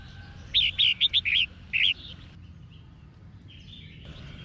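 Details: Female red-whiskered bulbul singing to provoke males: a rapid run of about six clipped, bright chirps in under two seconds, then quieter faint notes and one final sharp chirp.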